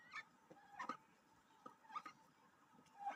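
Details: A pet duck, just after a bath, gives soft, short, nasal quacks and chatters in small bursts about once a second, with a faint background hiss.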